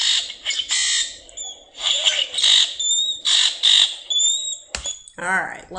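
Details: Common Grackle song played back: harsh buzzy bursts and clicks with no particular rhythm, thin squeaky high whistles between them, nothing melodious; a man's voice comes in at the end.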